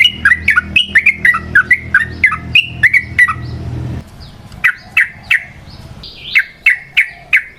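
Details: Yellow-vented bulbul singing a long, lively 'ropel' as a lure for other birds: quick slurred chirps, a brief gap, then more spaced bright whistled notes, with faint low rumbling noise at the start.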